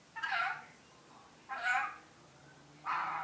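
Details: Rainbow lorikeet kept as a pet, imitating iPhone ringtones (Boing, Duck, Robot, Sci-Fi): three nasal, raspy quack-like notes repeated about every 1.3 seconds over a faint low hum.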